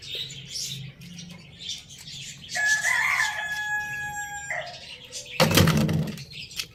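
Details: Pet rooster kept with hens, chicks and budgies, crowing in the morning: a drawn-out harmonic crow held for about two seconds mid-clip, surrounded by busy high budgie chirping and clucking.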